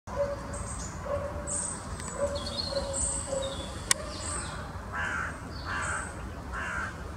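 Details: Short-toed treecreeper calling at Oosterbegraafplaats, Amsterdam, the Netherlands, on 1 November 2015: thin, very high piping notes scattered through the clip, with a low steady hooting note repeated underneath, soft mid-pitched calls near the end and constant background hum.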